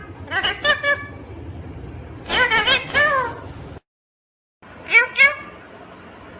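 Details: A green, pet rose-ringed parakeet talks in short bursts of bright, nasal, speech-like syllables, several quick phrases with a brief pause between them, over background music.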